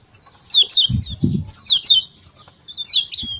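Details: Morning song of a Lemon-bellied white-eye, three bursts of rapid, high descending chirps, each burst with two or three linked notes, accompanied by a constant thin electronic-like whine and a few soft low knocks.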